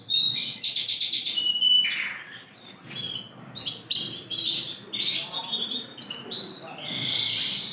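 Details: Large Yorkshire canary, ring 20, 28 January 2021: an opening burst of fast high trills, then broken, quieter phrases of short notes and sweeps separated by brief pauses, before a rising trill at the end.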